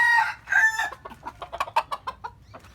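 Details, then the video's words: Chicken crowing in the morning: a loud, bright crow fills the opening second, then a run of quick, descending clucks fades away. "The sound of chicken crowing in the morning"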